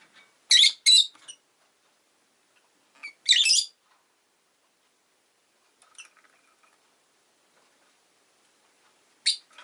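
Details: Shrill, harsh double chirp from a pet rosy-faced lovebird, then a single grating chirp, a few faint squeaks, and one last sharp note after a pause.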